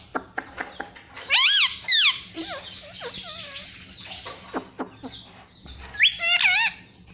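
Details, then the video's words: Pet parrot talking "mummy": scattered clicks, then a loud burst of high, wavy, warbling tones, softer bending notes, and another loud wavering burst near the end. "pattu parrot talking mummy"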